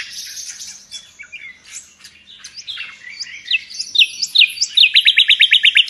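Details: Nightingale sought in Indonesia as a master bird for training pets, singing energetically: mixed chattering and whistled notes building to a rapid rhythmic run of about ten loud, sharp repeated notes.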